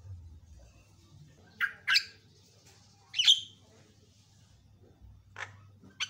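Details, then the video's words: Black-winged starling song for training other birds, sparse here: two sharp rasping chirps, a loud harsh squawk, then two thinner calls after pauses, with a low electrical hum throughout. "MASTERNYA JALAK KEBO PALING GACOR"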